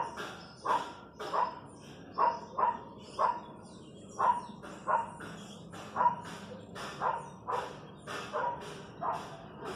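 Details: Rhythmic raspy chorus from wild chachalacas in the countryside, coarse honking notes spaced a little under a second apart, loud and regular, with a low hum of background noise beneath.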